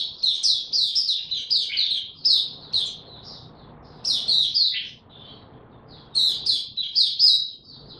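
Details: Oriental white-eye ramping up its song: long phrases of fast, high, squeaky twittering notes, each run lasting a couple of seconds before a brief quiet break.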